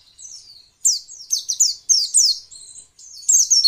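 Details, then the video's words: Female white-eye twittering meant to stimulate males to answer and sing: rapid, high, downward-sweeping chirps in uneven clusters, about three per second, with a brief thin trill between bursts. "masteran pleci untuk merangsang bunyi pleci ombyokan"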